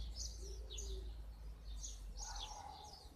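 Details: A goldfinch hybrid bred in 2015 sings a quick, high twittering song of short chirps and trills, with a few lower whistled notes, over a steady low hum.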